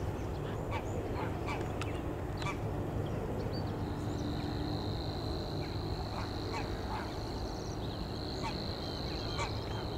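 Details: A Savi's warbler at Leiderdorp, the Netherlands, on 25 June 2024, reels a long, even, insect-like buzzing trill on one high pitch over a low rumble, with scattered other birds and possibly waterfowl.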